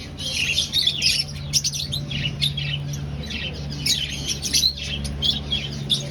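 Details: Breeding aviary finches in a colony setup seeking a nest; continuous overlapping high-pitched chirping from many birds, with a constant low mechanical hum beneath.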